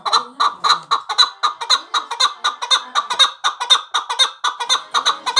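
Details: Male chukar partridge calling in a rhythmic series of harsh, grating chuk notes, often paired, repeating steadily about twice per second.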